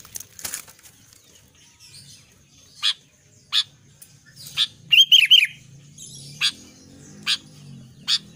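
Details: An albino sooty-headed bulbul gives one quick phrase of three falling whistled notes, following a rustling flutter of wings at the start, with scattered sharp clicks before and after and a low steady hum.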